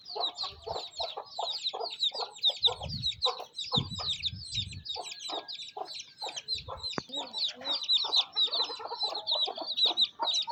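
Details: Mother hen and young chicks at feeding time in a Pakistani village on a rainy day: dense high peeping runs throughout, low clucks come in steady series, and there is a single sharp click midway.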